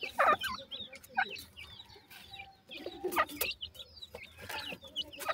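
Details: Black francolin chicks, dakhni and sindhi teetar, feeding and playing: short high curved peeping notes in scattered bursts, mixed with sharp broadband clicks and taps, over a low steady background hum.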